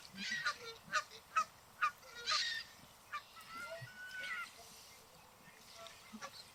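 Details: Group of Canada geese on a lake calling out to each other: a quick burst of clipped honks at the start, then softer, scattered calls fading away.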